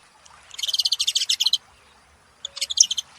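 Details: Saffron finches making noise, one giving a fast pulsed chattering trill of about a dozen bright notes lasting a second, a pause, then a shorter similar burst.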